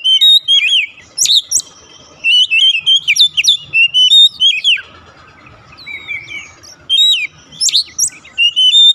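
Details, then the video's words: Loud Oriental magpie-robin song meant to coax a silent bird into singing: rich, varied whistles and quick rising and falling slurs in fast repeated bursts, a short quieter break midway, then more bright phrases. "pancingan ampuh | memancing ncept Kacer macet bunyi langsung gacor"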